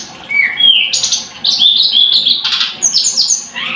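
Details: Scarlet-headed flowerpecker delivering a busy, high-pitched song of whistled slurs, rapid chattering trills and thin upslurred notes, almost continuous across the recording.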